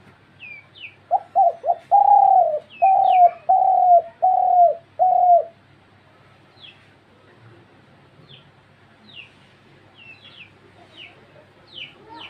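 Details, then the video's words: A dove gives six soft, hollow coos in an even run of about one every second, while small birds add thin, high chirps throughout. "ঘুঘুর ডাক"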